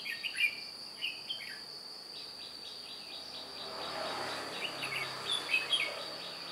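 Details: A red-whiskered bulbul decoy luring wild birds on 2 July 2018 gives quick warbling whistles at the start and end, while a rapid pulsing insect chorus fills the middle.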